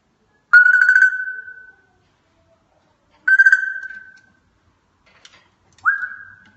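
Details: African grey parrot mimicking a sound effect indoors: three clear, steady electronic-like tones, each with a sharp start fading over about a second, spaced a few seconds apart, with a few soft clicks between them.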